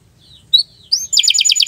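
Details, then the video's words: Canary giving a few soft whistled notes, then breaking into a rapid, loud trill of repeated buzzy notes. "Kicau Burung Kenari II GACOR PANJANG"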